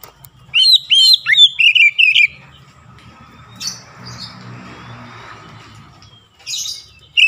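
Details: Provocation song of an Oriental magpie-robin, meant to stir other magpie-robins into full song: rapid, varied whistled phrases with sharp upswept and downslurred notes for two seconds, then quiet with faint hiss and a final note.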